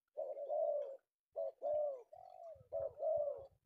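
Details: Close, clean recording of a male tekukur, or spotted dove, caught in Indonesia in the afternoon: full, warm coo phrases, some two-part, broken by short silences.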